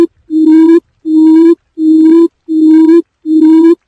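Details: A quail lure call: five low, hollow hooting notes, each about half a second long and evenly spaced under a second apart, loud and steady with nothing else heard.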